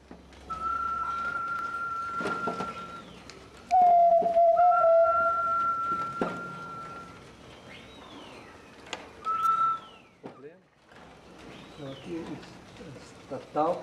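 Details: Solitary tinamou filmed in Brazil in 2004, with long, pure, steady whistles held for two to three seconds, one lower-pitched, mixed with shorter arched whistles from other birds and a few knocks.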